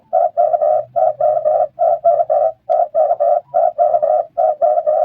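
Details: Repeated call of the red turtle dove, said to be high-pitched and kept up to maintain friendly bonds in the flock: clusters of two or three husky, even-pitched coo notes following each other quickly and continuously, with a soft low hum beneath.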